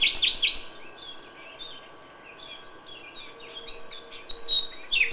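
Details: May dawn song of a common nightingale: an opening rush of loud repeated notes, softer scattered whistles and warbles in the middle, then sharp chirping phrases returning.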